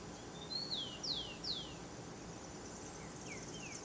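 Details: Wild saffron toucanet at a banana, feeding naturally; three sharp high squeals falling in pitch in quick series, then softer, fainter downslurred notes and steady forest noise.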